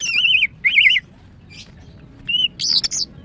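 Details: Female greater green leafbird, a caged bird, singing; wavering whistled phrases around the upper-middle range, two warbled notes in the first second, then a brief note and a higher buzzy burst near the end, with low background hum.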